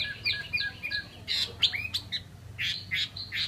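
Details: Chinese hwamei, a cage bird in Vietnam, giving short bright chirping phrases, quick downslurred whistles and clipped notes in rapid succession.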